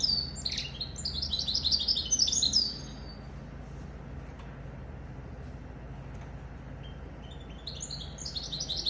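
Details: A goldfinch × canary hybrid (goldfinch mule) sings a fast, high twittering phrase of tinkling chirps for under three seconds, falls silent, then resumes the bright chatter near the end over a steady low hum.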